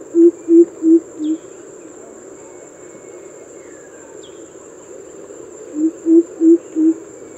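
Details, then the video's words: Greater coucal (crow pheasant, Bengali Kubo), a common local bird recorded from a rooftop: two bursts of four deep, hollow coop notes about a third of a second apart, separated by quiet, over a steady high insect whine. "Greater Coucal or crow pheasant (Kubo)"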